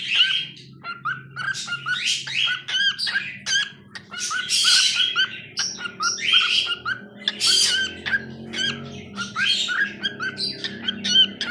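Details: Domestic cockatiel giving a busy, continuous song of clicks, rasping squawks and short whistles, rising and falling in loudness without long pauses, with a low steady hum behind.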